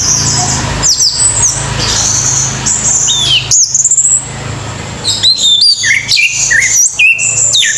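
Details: Orange-headed thrush with a low hum beneath, pouring out sharp high chirps and falling whistled slurs in separate bursts, busier toward the end.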